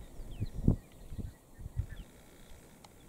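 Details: A lone male Black-bellied bustard, sitting between bushes in the open near Lower Sabie, Kruger National Park, South Africa, calls with four deep, hollow pops over about one and a half seconds, with faint thin twitters of other birds behind.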